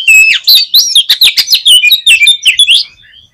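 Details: Oriental magpie-robin song, used as a lure to stir a pet bird into singing: loud, rich, rapid whistled phrases with sweeping and warbling notes packed closely together, ending in a few softer notes.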